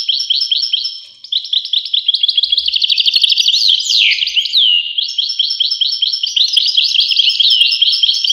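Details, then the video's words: Continuous European goldfinch song, a busy stream of high, tinkling chirps and buzzy trills with a slurred descending note midway. The twitter barely pauses, and no other sound competes. "voice carduelis- Tweets the birds. Tones a bird Goldfinch. voice goldfinch-"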